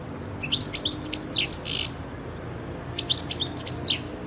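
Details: European goldfinch (Carduelis carduelis) singing, recorded 2011: two bright bursts of tinkling, twittering notes with quick liquid trills and a buzzy rasp, separated by a short pause.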